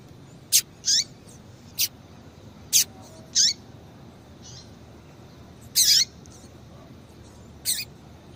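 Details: Calls of a female double-collared seedeater, used to excite males: sharp high clicks mixed with curved high notes dropping at the end, given singly at irregular gaps over eight seconds, with faint distant chips.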